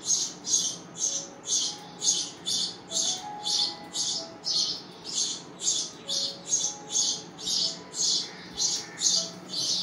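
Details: Chicks begging for food, hungry nestlings giving a long run of rasping, high chirping bursts, roughly two each second with regular spacing, loud and close, with faint background tones.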